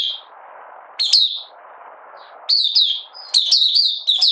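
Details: Opening song of a Malaysian Oriental white-eye, out of form and in minor moult, 31 July 2023: short bright bursts of high twittered notes, three phrases rising in intensity, with quiet low hiss between them.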